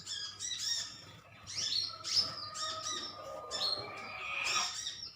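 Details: Metallic green sunbirds in a colony exchange calls. High, tinkling chirps come in quick bunches over a steady faint background hum.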